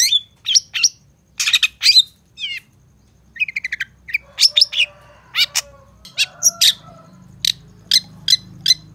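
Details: Training recording of a long-tailed shrike packed with varied song fills. Scattered shrill chirps give way to a quick stutter of clicks, then clearer spaced high notes over a low hum.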